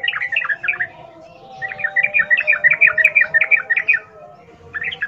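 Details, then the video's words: Sooty-headed bulbul in the 'ngalas ropel' style of wild birds, played to get captive birds singing: long rapid strings of bubbly, warbling chatter notes, a short pause between strings, with a low steady hum behind. "Trucukan gacor NGALAS ropel Khas alam liar ini ampuh untuk pancingan trucukan agar bunyi GACOR"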